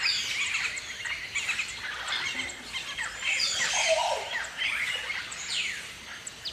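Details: Galah (Eolophus roseicapilla) flock gives a busy, overlapping chorus of shrill, scratchy screeches and chattering notes, rising and falling in waves with no pauses.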